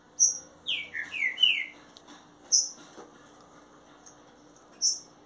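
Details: Kept Green-winged saltator delivering a short run of rich, descending whistled notes in close succession, while sharp high chips from another bird repeat at intervals around it.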